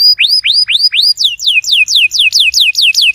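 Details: Canary song played to set a silent canary singing: four rising whistled upslurs followed by a fast even series of clear downslurred whistles, about four per second.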